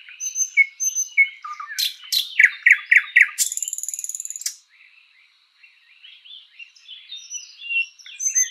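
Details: Luscinia luscinia singing in a spring forest: whistled notes, then loud clicking strokes and fast repeated chook notes ending in a dry rattle, followed by a pause and soft, high twittering.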